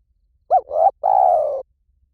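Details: Spotted dove cooing: a short hooked note runs into a swelling coo, followed by a long, steady, slightly burry croo. Nothing else is heard.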